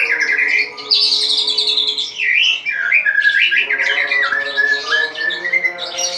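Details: Caged white-rumped shama at dawn, singing vigorously once its cage cover is opened: a rich, varied run of loud whistled phrases that sweep up and down, with fast chattering notes in between and steady faint tonal hum beneath.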